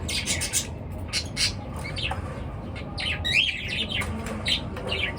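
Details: Several birds chirping in the morning, short bright high chirps and scratchy notes overlapping in quick bursts, with a low steady background rumble.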